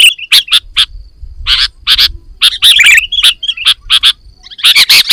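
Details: Sooty-headed bulbul, full isian song used to get birds singing: scattered loud chirps and warbled bursts, a faint low rumble underneath, and a busier jumble of notes toward the end.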